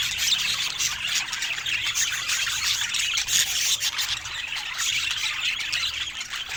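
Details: Rare colour-mutation budgerigars heard in a dense, continuous stream of high scratchy chirps and squeaky chatter that overlap without pause, busy and unbroken, with no music or voices.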